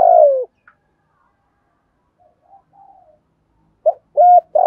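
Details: Caged ornamental spotted dove, 'giọng thổ Thúc Gù' song style: a long falling low coo, quiet pause with faint soft notes, then the start of a new phrase of short rounded coos.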